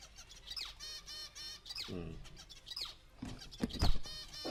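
Zebra finch song: quick runs of buzzy, nasal, harmonic syllables repeated in a set motif, played quietly over a low room hum.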